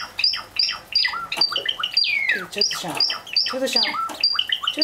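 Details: Two sakura Java sparrow chicks, six and four days old, begging for food in the morning: shrill, high chirps repeated rapidly and almost continuously, with a person's voice speaking over them.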